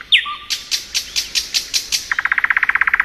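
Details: Thrush nightingale singing in spring: a sharp upslurred whistle and a low note, then a series of loud, clipped notes about three per second, ending in a fast, dry rattle of evenly repeated chips.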